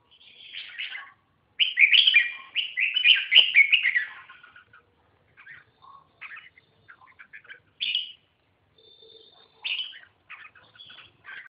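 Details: Red-whiskered bulbul song that opens with a rich, tumbling warble of rapid notes. It then thins into scattered short chirps and whistles with gaps between them. One clear whistled note sounds near the middle.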